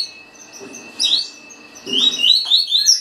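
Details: Green-winged saltator singing a fast song in the tuí tuí style: high, clear whistled slurs in quick runs, louder toward the end, with a steady faint tone behind.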